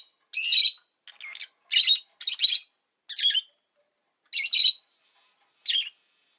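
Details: {'caption': 'Pet rosy-faced lovebird calling in buzzy, shrill chirps, spaced irregularly about once a second, with some quieter notes between them.'}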